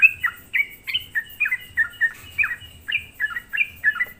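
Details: Lure song of a sooty-headed bulbul for provoking rival bulbuls: chattering bubbly phrases of falling notes repeated about three to four times per second, with a faint steady high tone behind.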